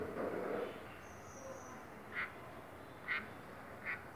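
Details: A pet black bulbul gives three short, nasal, squeaky notes spaced about a second apart, with a low rustle at the start and faint background hiss.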